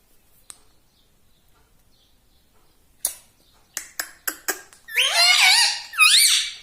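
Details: Pet talking parrot (tota): several sharp tapping clicks, then two loud, squeaky, speech-like phrases with swooping pitch near the end.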